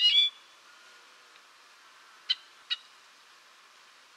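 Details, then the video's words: Golden-rumped euphonia song: a bright, rich opening phrase, then three short, high, clipped notes spaced over the next few seconds against a quiet background. "Canto do Gaturamo Rei / Gaturamo de Cabeça Azul | Golden-rumped Euphonia | Euphonia Cyanocephala"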